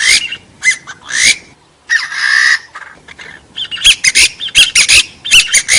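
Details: Partridge calls, noise-filtered, for luring and trapping forest birds: squawks with upward sweeps, then a sustained buzzy rasp, then a rapid run of sharp clipped notes.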